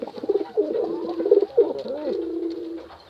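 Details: Pigeon calling a female, giving a drawn-out low cooing phrase with rolling, undulating notes that swell and then fade over about three seconds in a small room.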